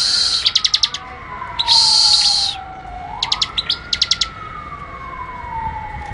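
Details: Ngebren-style prinia song of tight, sharp rattling pulses and a long buzzy burst, repeated in quick clusters while a rising and falling siren wails steadily behind.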